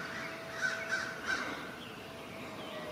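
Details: Forest crows harassing a great horned owl perched near their area. Three short, hoarse caws come in quick succession early on, then fade into quieter background noise with a faint steady tone.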